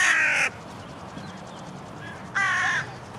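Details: Grey herons fighting in a rose garden away from the lake after getting too close to one another; two loud, coarse squawks, each about half a second, separated by nearly two seconds of quiet.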